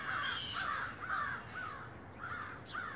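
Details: Large black crows near a home in the rain, repeated hoarse caws at roughly half-second intervals, slightly descending, over constant background hiss.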